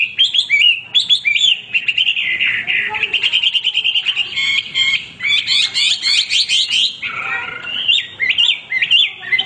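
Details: Hwamei male in full voice, pouring out a dense medley of fast trills, buzzy rapid notes and clear looping whistles, with phrase types changing every second or two, loud and continuous.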